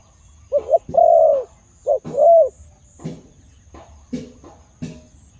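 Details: Khmer dove with a big voice delivers two short-then-long coo phrases, each a brief note before a sustained mellow tone, followed by scattered clicks and knocks.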